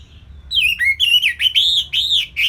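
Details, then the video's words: Caged orange-headed thrush from Bali used as a training model for other songbirds, singing a loud run of arched, slurred whistles that rise and fall, delivered rapidly and continuously with faint background hum. "Kicauan Simpel ANIS MERAH Gampang Untuk Ditiru Sebagai Masteran"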